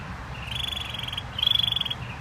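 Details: Canary song: two fast high trills, each about half a second to a second long, separated by a brief pause, the second louder and more ringing.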